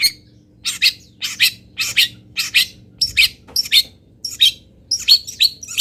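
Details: Local long-tailed shrike filler song for training: a steady series of buzzy, broadband harsh notes, about two per second, loud and close, over a faint hum.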